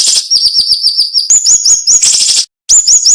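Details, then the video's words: Cinnamon-bellied flowerpecker, called siri-siri, giving its sharp, tightly packed song: rapid run of very high thin chirps rising into upslurred notes, ending with a short silence and a renewed chirp series. "MASTERAN SUARA BURUNG SIRI SIRI NEMBAK TAJAM"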